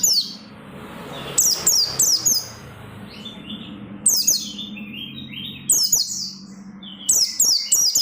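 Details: Persistent oriental white-eye song meant to get other white-eyes singing: clusters of rapid, high, downward-sweeping whistles separated by quiet gaps of a second or so, with a faint low hum underneath.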